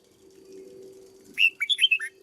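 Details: Caged red-whiskered bulbul being trained as a decoy bird bursts into one fast phrase of six sweet whistled notes after a second of quiet hum, the last note slurring downward.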